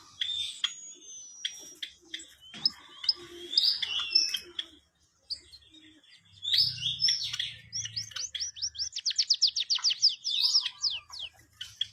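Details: White-headed munia singing busily: high twittering chirps and slurred whistles, a brief pause, then a fast run of sharp repeated ticking notes that speeds up, with a faint low hum beneath.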